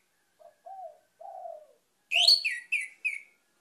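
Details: Orange-headed thrush song recorded as a lure track: three soft low whistled notes, then a loud burst of bright, rich phrases and two shorter high notes.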